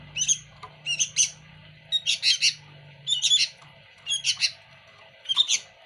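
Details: Sooty-headed bulbul singing lively phrases: short clusters of bright, high chirps and whistles about every second, separated by quiet gaps. A faint low hum runs in the background.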